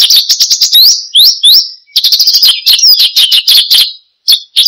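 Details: Vigorous 'gacor' branjangan (Australasian bushlark) song for cage-bird luring and tutoring: rapid repeated chirps, then a few rising whistled sweeps, more fast chirping, and short closing notes after a gap.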